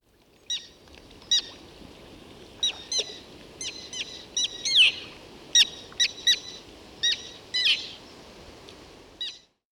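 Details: A Common Tern (Sterna hirundo) gives contact calls, used to keep in touch while flying, feeding or moving around the breeding colony: short, sharp, high notes at irregular intervals, one to two per second, with a few harsher, slurred calls.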